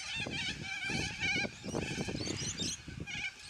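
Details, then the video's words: Yellow-crested cockatoos squawking loudly as a flock, short grating screeches coming in quick overlapping bursts with a louder harsh cry near the end. "Noisy Yellow Crested Cockatoos Take Over!"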